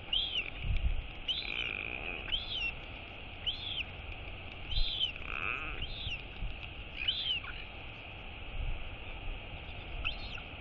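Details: Royal albatross chick being fed by its mother, uttering short high arched wheeps spaced irregularly through the stretch, thinning out toward the end, against low rumbling noise.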